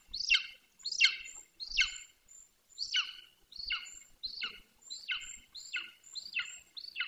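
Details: Juvenile male golden eagle, 18 weeks old, calling near its nest in Bucovina on 9.6.21, no longer visiting the nest. About ten loud, sharp, downward-slurred yelps come roughly every 0.7 seconds, with a faint thin high whistle behind them.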